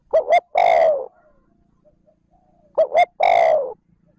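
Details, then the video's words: Spotted dove giving its smooth lure call used to stimulate wild birds: two phrases, each a fast double coo followed by a long soft descending coo, with a faint quiet pause between. "Tiếng cu gáy trơn ròng thúc gù gáy kích bổi nhanh nổi / Cu gáy gọi trơn ròng"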